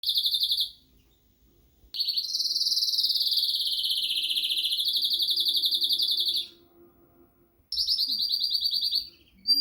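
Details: Arlequim Português canary singing with lots of energy: high, rapidly pulsed trills, one held for over four seconds while gently wavering in pitch, with short silent gaps between phrases.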